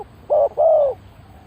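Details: Hollow coo of a spotted dove kept as a lure for wild birds: one short flat note, a brief gap, then a longer coo falling gently at its close.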